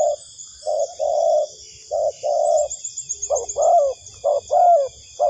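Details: Spotted dove cooing as a trapping lure: a few drawn-out, steady low coos, then shorter notes that rise and fall, backed by a persistent shrill drone, high twittering and soft low rumbles.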